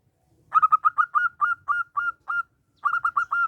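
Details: Zebra dove of a local strain, small-voiced and lively, singing as a lure: a burst of rapid staccato notes slows into longer drawn notes, then a second rapid burst begins, all at one steady pitch.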